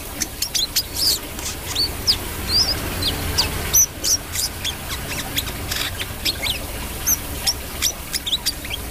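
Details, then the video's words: Brown-throated sunbird song of rapid, high, thin chips and short slurred whistles mixed with frequent clicking and rustling sounds, all over a faint low drone. "KOLIBRI KELAPA GACOR"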